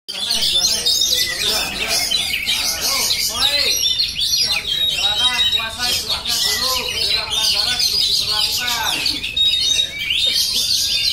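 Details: Oriental magpie-robin singing on and on, a dense run of shrill whistles, squeaky chirps and fast chattering trills packed without pause, with lower warbled notes mixed in around the middle.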